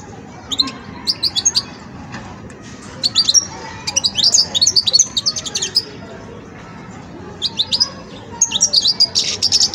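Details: A young European goldfinch in its song-sorting stage gives bursts of high, tinkling twitters in short phrases with brief pauses, against a faint low background hum.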